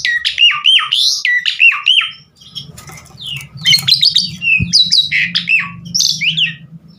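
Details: Javan pied starling singing in a lure recording meant to prompt other birds to sing, delivering loud looping whistles and harsh squawks, then a hissy stretch with low background hum before more varied shrill phrases.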